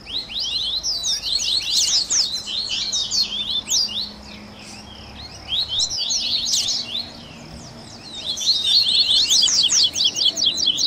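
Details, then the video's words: Warm-up recording of double-collared seedeater song in the baderninha style, meant to stimulate caged birds to sing: three bursts of rapid, high, scratchy twittering separated by short quieter gaps, the last burst loudest. "Baderninha de Coleiro"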